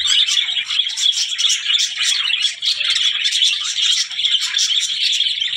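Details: Budgies in a steady, rattly warble of clicking and chirping notes, with sharp ticking accents repeated through a continuous chatter.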